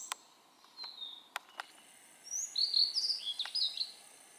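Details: Blue-and-white flycatcher singing in a dim valley along the Aotani trail on Mount Maya, Japan, on 23 June 2017; a bright, whistled warbling phrase of high notes in the second half, preceded by a few faint clicks and a short thin note.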